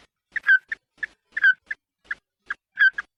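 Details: Red-eyed bird calling the flock, used as a lure: sparse, clipped nasal notes, some paired with a downward-slurred whistle, spaced roughly a second apart in a quiet background.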